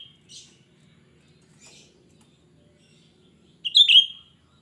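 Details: Lure song of a cucak rante, shrill and full: faint high scratchy notes early on, then one loud, piercing phrase that jumps up and falls away near the end, over quiet hum.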